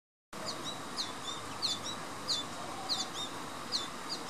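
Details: American goldfinch begging for food at Knoch Knolls Park, Naperville, Illinois, on 26 September 2015: high, thin chirps repeated about every half to three-quarters of a second, over a steady background hiss.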